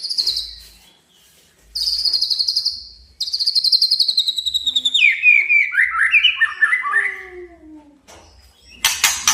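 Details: Male white-rumped shama challenging a rival: repeated high rapid trills, then a cascading descending series of whistled notes, ending in harsh broadband chatter.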